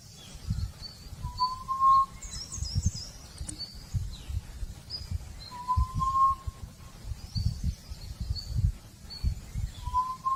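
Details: Forest quail repeats a smooth, steady whistle about every four seconds, three times in all, each slightly rising. Faint high-pitched bird notes and low rumbling noise sit underneath.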